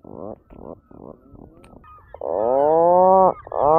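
A puffin gives three short, low, nasal grunts, then a long drawn-out groaning moan that rises sharply at the end before another begins.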